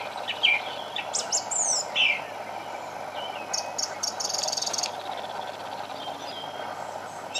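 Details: A thrush at the bottom of a garden sings short, varied phrases of clear, high whistles and rapid twittering notes, with pauses between, over a steady low background hum.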